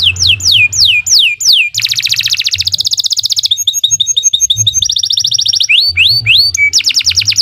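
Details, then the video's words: Canary master song for young birds, long and lively: descending whistled slurs, a dense rolling trill, bubbling chatter, a buzzy tour and more sliding whistles, loud and nearly unbroken. "Kicau Burung Kenari 90 II GACOR PANJANG Cocok untuk Masteran"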